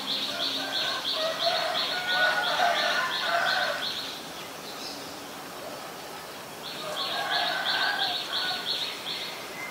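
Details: A Common myna (Acridotheres tristis) calls in Ubon Ratchathani, Thailand, on 15 March 2021. It gives two bursts of quick, harsh, high chirps, about three per second, mixed with gurgling, chattering lower notes over a soft outdoor hum.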